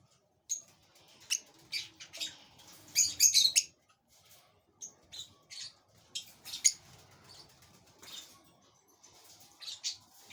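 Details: Parblue opaline pale fallow lovebird chick being fed in a flight cage: thin, high, squeaky bursts in irregular clusters, densest and most rapid around the middle, with short quiet gaps between bouts.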